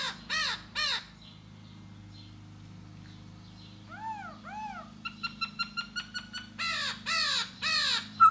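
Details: Laughingthrush known locally as khướu da bò, singing and dancing to lure a female: loud harmonic downslurred notes, a pair of arched phrases, then rapid clipped notes and rich chattering bursts, with a steady low hum underneath.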